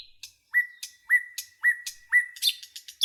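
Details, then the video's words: Nightingale singing in a forest, repeating a clear whistled note with a sharp upswept start and a flat held tail about twice a second, broken by brief high ticks. "Canto do pássaro rouxinol na floresta"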